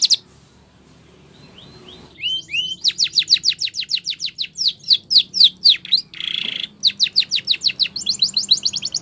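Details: Spanish Timbrado canary song for canary training: soft rising notes after a quiet start, then a long rapid series of descending sweeps, a short buzzy burst, and a closing fast trill.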